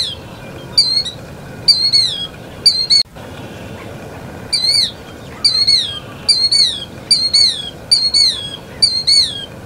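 A Killdeer gives loud, shrill notes that rise then slur downward, in quick bursts of one to three, about once a second, with a brief pause midway.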